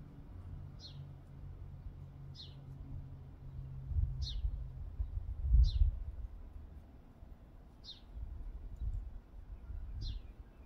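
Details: House sparrows having a meal; short, sharp downward chirps repeated at roughly one-and-a-half-second intervals, six in all, over a low rumbling background noise.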